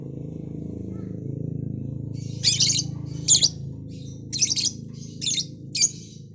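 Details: Lovebird, noisy in the afternoon: after two seconds of low steady hum, five shrill, high, buzzy chirping bursts follow about once a second, each brief and harsh, with the low rumble continuing underneath.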